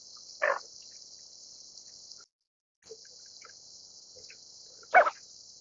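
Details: Greater scaup (Aythya marila), also called bell duck: two short, harsh, raspy bursts about four and a half seconds apart, with a steady high hiss running behind and a brief gap in the hiss.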